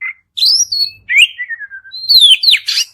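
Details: Kacer (Oriental magpie-robin) in long continuous song, used to stimulate another bird to reply. Bright whistles rise and fall in quick succession, with a drawn-out descending note and a rough burst of chatter at the end.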